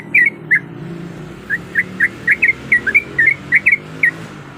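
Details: Breeding female sooty-headed bulbul calling to a male as a lure sound: bright, clipped chirps and paired slurred notes in an uneven run over steady low background rumble and a soft hiss.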